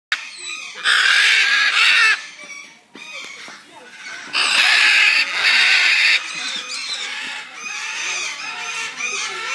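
A macaw gives two long, harsh, raspy screeches, each lasting over a second, with softer scratchy chatter and squeaks in between.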